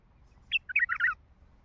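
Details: Heavy-throated wild bulbul of the Baghdadi type giving a brief phrase: a single sharp note, then a quick tumble of liquid, gurgling warbles closing on a louder fluty flourish, with near silence around it.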